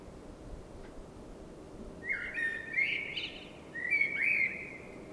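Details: Common blackbird singing at night in spring: two mellow, fluting whistled phrases near mid pitch, each ending in a higher twittery flourish, separated by a short pause, over a steady low background hum.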